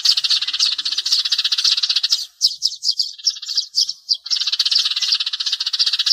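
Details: Sparrow calls meant to lure birds to glue traps: dense, continuous high chirping from several voices, rapid and rhythmic, breaking after two seconds into a few looser, varied twitters before the steady chatter resumes.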